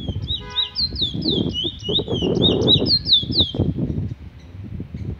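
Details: Chestnut-bellied seed finch, the Trinidad bullfinch, singing the song style called Revolver: a quick run of clear, slurred whistled notes, about two or three per second, over low rumbling background noise.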